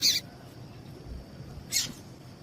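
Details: Female double-collared seedeater calling, a call used to stir males into song: two short, harsh, high-pitched notes about one and a half seconds apart, over a steady faint high whine and low background hiss.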